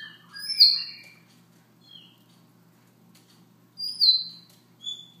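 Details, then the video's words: Siberian rubythroat giving a soft morning song: short whistled and slurred notes between about two and eight kilohertz-high range, in two brief bursts separated by a long pause, with a faint low hum underneath. "Siberia ruby throat"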